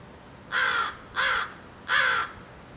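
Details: Crows from a flock that frequents a backyard, filmed through a window: three harsh, drawn-out caws at even spacing, each about a third of a second long, over a quiet background.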